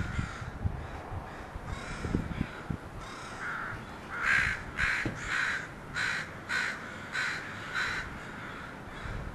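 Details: A group of crows that has landed at a house keeps up a racket: a run of loud, grating caws, about two each second, and quieter scattered clicks and knocks early on.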